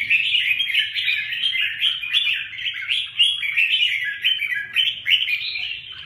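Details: Red-whiskered bulbuls in combat, a steady torrent of loud chattering, whistled and squeaky notes packed closely together.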